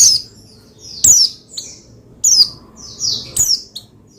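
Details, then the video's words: Oriental white-eye (pleci), used to stir other white-eyes into singing: high, thin, downslurred chirps in short bursts, about one a second, over a quiet low hum. "Menaikan Emosi Burung Pleci Bahan Agar Pleci Gacor Cepat Bunyi Rajin Gacor"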